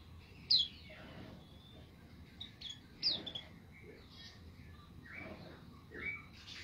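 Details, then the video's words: A white-eye in full song gives sharp, high chirps about every two to three seconds, with softer twittering notes between them over a steady background hiss. "pleci gacor"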